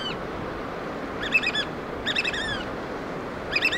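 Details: Black oystercatchers in Washington's Pacific Northwest, feeding chicks, utter loud piercing whistles in quick doubled and tripled bursts separated by short gaps, with a low steady background roar.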